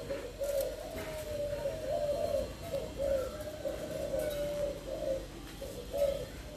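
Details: Thai spotted doves kept in a breeder's collection coo in a steady run of soft, low hooting notes, several overlapping coos roughly every half second, with faint room noise behind.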